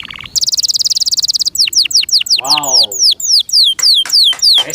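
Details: A kept canary opens with a short low note, then a rapid high trill, followed by a run of quick downward-slurred whistles at a steady pace; a man's voice exclaims 'wow' midway.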